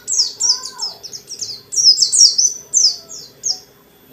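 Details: Lively ngalas-style white-eye song meant to make other white-eyes answer and sing: tight strings of very high, sharply downslurred chirps run together almost without gaps, some louder clusters midway, fading toward the end over a soft steady hum.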